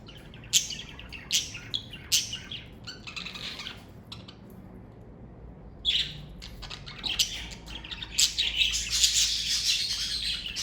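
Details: Several pet budgerigars chatter indoors: bursts of harsh, buzzy squawks and chirps in quick runs, a brief pause, then a dense warbling jumble toward the end.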